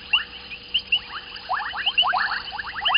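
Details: White-faced whistling ducks at Gowrie dam waterhole, Djuma Game Reserve, Sabi Sand, South Africa, in the evening (19:35, 14 January 2021), giving sharp, high whistles about every half second over busy chatter of quick sliding notes from several birds, with a faint hum.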